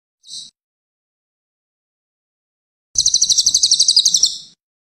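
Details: Cililin used as a master recording for training songbirds: a brief high note, a pause, then a fast, buzzy trill of about sixteen evenly spaced high pulses lasting some one and a half seconds.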